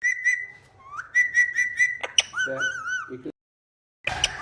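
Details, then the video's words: Indian ringneck kept as a talking pet, whistling a run of steady repeated notes, then wavering, slurred phrases with harsher squeaks, a brief silence, and a final burst of noisy chatter. "Bolne Wala Tota | Parrot Talking Mummy"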